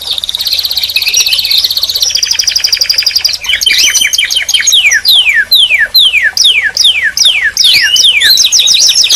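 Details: Canary in full song: a dense buzzy trill, a faster rattling roll, then a series of clear descending whistled sweeps repeated roughly twice a second, mixed with high chips.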